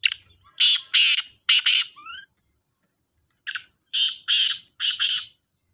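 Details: Two black francolins, named as the Sahiwal type, call against each other in competition: harsh, broadband grating phrases in two bursts, each of three or four loud rasping notes, separated by a short silence.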